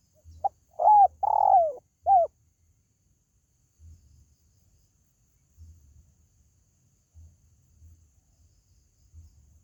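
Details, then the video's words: Spotted dove call, used to attract pet birds at home: a brief phrase of short notes and a long husky coo in the first two seconds, then faint low rumbles and quiet. "SUARA PANGGILAN BURUNG TERKUKU"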